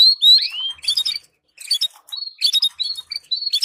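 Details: Canary singing to support and excite breeding pairs: an opening string of rising whistled notes, a pause, then quick repeated chips and short trills.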